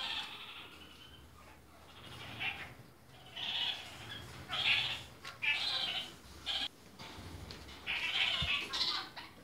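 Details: Several captive red-crowned parakeets of mixed colour varieties calling with short nasal squawks, irregularly spaced and rising in frequency toward the end, over a faint background hum.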